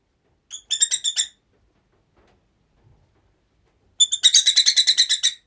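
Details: Several rosy-faced lovebirds kept together in one home. Two bursts of rapid, shrill chirps, each a quick run of about a dozen harsh notes. The first burst is short and the second is longer, with a quiet pause between them.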